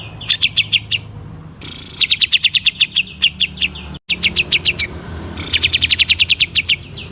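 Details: Loud, busy song of a greater green leafbird intended to stimulate others: dense rattling series of bright chirps in back-to-back phrases, one abrupt silent cut near the middle.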